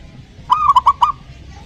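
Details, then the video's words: Zebra dove phrase played to get a lazy dove singing: a held, gently wavering coo breaking into three short, clipped notes at an even pitch, roughly three-quarters of a second long, with soft background hiss. "pancingan perkutut malas bunyi"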